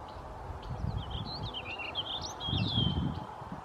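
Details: A warbling vireo (Vireo gilvus) sings one long, rambling, run-on warble of quick, slurred high notes, at Saint-Fulgence on 22 May 2015, over a low rumble of wind or distant noise.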